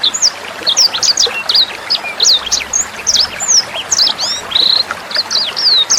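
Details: Sanger bird song used as a tutor recording for training Murai Batu, Kacer, Cucak Hijau and young sanger birds, with trickling water: rapid high whistled notes, sharply rising and falling slurs, in a dense varied stream.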